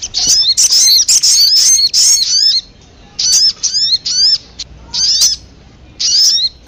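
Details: Sogon call played as a bird lure: rapid high twittering at the start, then separate bright, slurred chirps repeated at intervals of about a second.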